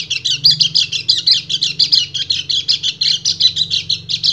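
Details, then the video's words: Rapid, even-paced high twitters from a male white-eye calling a breeding female, each note repeated several times a second in a steady stream over a faint low hum. "PLECI GACOR NGEBREN - KECIAL KUNING BIRAHI MEMANGGIL BETINA"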